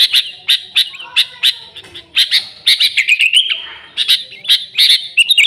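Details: The sooty-headed bulbul sings energetically, with no other birds mixed in, in a recording meant to attract the species. Clusters of crisp chirps give way to a warbling, slightly wavering whistled passage, then more clipped notes.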